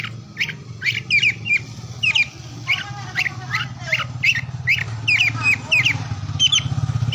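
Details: Oriental magpie-robin song meant to rouse mute or lazy birds: sharp whistled notes and trills repeated through the clip over a fairly strong background hum and noise.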